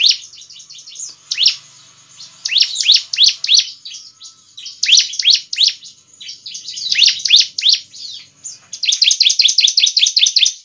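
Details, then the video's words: A Bar-winged Prinia sings lively, high-pitched bursts of rapid chirps and buzzy trills, several phrases in quick succession with short pauses between; a vocal bird's song used to provoke replies from other prinias. "Suara Ciblek Gacor dijamin ciblek lain langsung nyaut"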